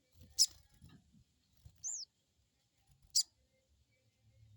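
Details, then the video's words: Crested jay crecet lure call meant to make untrained birds reply quickly: two sharp, high, scratchy bursts with a brief arched whistle between them and soft low rumbling underneath. "Crecet crecet,,pancingan burung sogon bahan"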